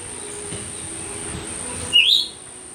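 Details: Myzomela filmed on 25 December 2022; a single brisk chirp rising steeply in pitch near the end, preceded by low background rumble and accompanied throughout by a steady high electronic-like whine.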